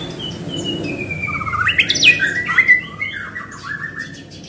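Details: White-rumped shama in lively song to draw out other shamas: a long thin level whistle leads into a loud cluster of rapid sharp notes and chatters, then descending warbled phrases fading away.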